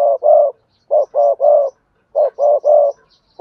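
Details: Spotted dove, song in the Cườm Sa style: three quick phrases, each with one or two short deep coos followed by a longer sustained throaty coo, separated by brief silences.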